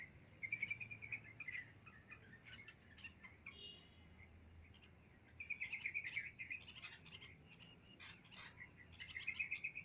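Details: Wild birds chirping on an ordinary day outdoors: bursts of quick high twittering notes in clusters, with pauses between phrases, over a low background rumble.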